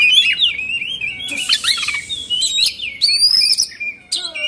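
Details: Oriental magpie-robin in 'emosi/kongslet' mode, tail spread and plumage fluffed, pouring out a loud, varied song of sweet whistled slurs broken by rasping, noisy outbursts and high thin notes.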